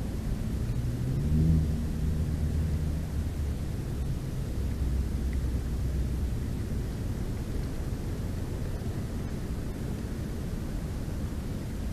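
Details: Only a steady low rumble, like wind or distant traffic, is heard, with no animal calls.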